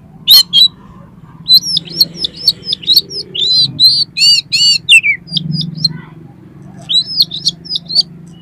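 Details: Oriental magpie-robin (kacer) singing, played to prompt another kacer to sing and open its tail: quick runs of repeated high, bouncing whistled notes, a few buzzy rasping notes in between, and brief pauses.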